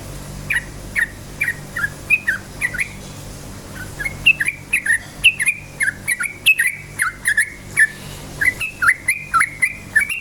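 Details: Rapid 'ropel'-style song of a yellow-vented bulbul, played to provoke other bulbuls to sing: a steady stream of short slurred whistled notes, some rising and some falling, that speeds up toward the end, with faint high clicks and a steady low hum.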